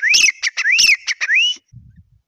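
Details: Grey francolin with three loud, rising whistled notes broken by sharp clicks. The run ends on a longer upslurred note, followed by faint low rustling.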